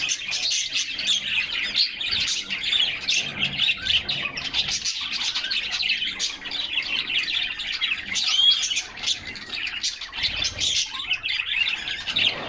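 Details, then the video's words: Several canaries singing and playing in their cage in summer sunshine, filmed by a fixed camera inside the cage; a long stretch of unbroken, dense, high chirping and trilling from birds singing in unison. "Canaries Singing and Playing in Their Cage"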